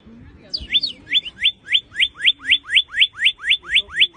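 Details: Cardinal singing a fast series of clear, up-slurred whistled notes, about four per second, after a few higher sliding notes at the start; faint low background sounds.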